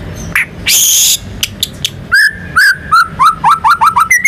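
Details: White-rumped shama, a national contest champion, singing in lively form to prompt other birds to sing: loud noisy bursts open, then a run of clear whistled notes, rising and falling, repeated about every quarter second.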